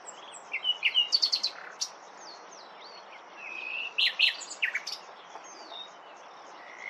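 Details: Common nightingale song: varied phrases of sharp chirps, short whistled slurs and a level whistled note, delivered in bursts separated by brief pauses.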